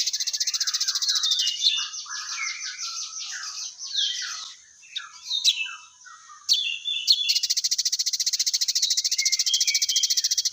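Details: Crested jay (sogon), a lively singing bird: a long, rapid, dry mechanical rattle, a stretch of varied high chirps and slurred notes, then the fast buzzy rattle again to the end.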